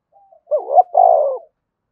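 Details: Spotted dove cooing energetically in the thúc bổi style. A faint lead-in note precedes one loud phrase: a wavering, hiccuping opening, then a drawn-out, smooth coo that falls slightly at the end.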